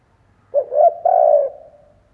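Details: Decoy spotted dove from Vietnam giving its luring coo: a short hoot, a rising second note, then a long mellow croo trailing off; a single phrase in near silence.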